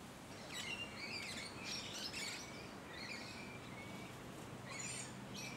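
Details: Musk Lorikeets filmed up close in leafy suburban Hunters Hill, Sydney, Australia, late November to early December 2020; shrill, scratchy screeches in several quick bursts, some overlapping, with a few thinner high chirps between them over faint background hiss.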